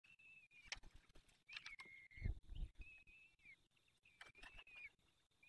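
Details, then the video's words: Peregrine falcon at the nest during the fifth feeding in the Barycz Valley, 23 April 2020, 19:28: drawn-out whistled calls, level then dipping at the end, with thuds and low bumping sounds in between. "Piąte karmienie Dolina Baryczy 2020 04 23 19:28 sokół wędrowny"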